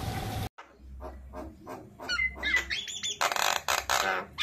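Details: A tame Javan myna gives a run of harsh, scratchy squawks mixed with short rising whistles, ending in loud grating bursts after a brief noisy start.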